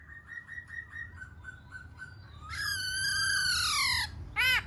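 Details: Singing and dancing Black-throated laughingthrush: repeated soft whistled notes build into a long, loud, slurred harmonic phrase, ending with a sharp ringing note.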